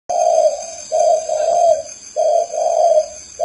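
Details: Spotted dove perched on a person's hand, still cooing: low, mellow coos in phrases of two or three notes, one phrase roughly every 1.2 seconds, over a faint steady high-pitched electrical whine indoors.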